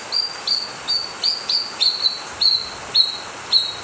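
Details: Blue-winged leafbird song used as a lure to stimulate other birds to sing, Ciamis: clear high whistled notes, each with a short sharp onset then held level, repeated about every half second, eight times.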